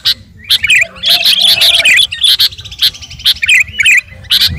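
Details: Garuda-type sooty-headed bulbul calling out to a rival, giving rolling, liquid warbles between bright, abrupt chirping notes, repeated in uneven bursts over a quiet background.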